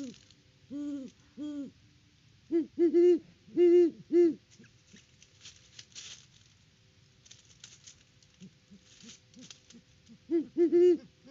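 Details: Great horned owls hooting at their nest tree on a Peabody, Kansas farm, October 17, 2023, with one owl working in the nest. Bursts of deep hoots are separated by quiet gaps filled with rustling and scraping, and softer hoots are heard between the bursts.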